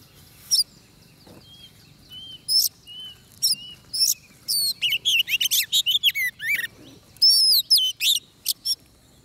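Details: Oriental magpie-robin at a trapping session, fighting-song style: soft pure whistled notes at first, then dense bursts of sharp, sweeping chirps and trills with a few bright rising whistles near the end.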